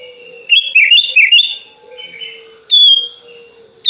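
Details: Hand-raised, tame Sooty-headed bulbul singing with wings spread, calling to a rival: a quick run of bubbly, warbled whistles, then one clear sliding note, over a faint steady hum.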